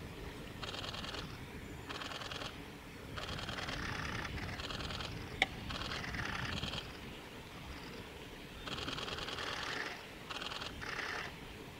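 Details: A male Japanese robin at Yanagisawa Pass, Japan, on 5 May 2017, gives loud, dry rattling bursts, each under a second, repeated every second or two, with one sharp click midway.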